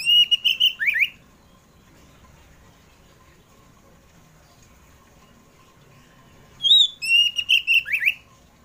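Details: Kacer poci, the Oriental magpie-robin, singing in the afternoon as a lure for pet birds: a quick loud whistled phrase ending in a falling slur, a long quiet stretch, then a matching burst of clear whistles.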